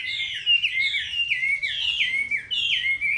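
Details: A Chinese hwamei repeats a loud whistled phrase that slides down and then rises again, about once every half second, in a steady sequence of looping notes.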